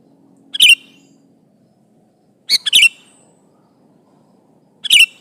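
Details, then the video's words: Lively sooty-headed bulbul calling out to an opponent; three short gurgling phrases spaced roughly two seconds apart, each a clipped cluster of warbled notes, with faint background hum. "Suara burung kutilang gacor memanggil lawan ini"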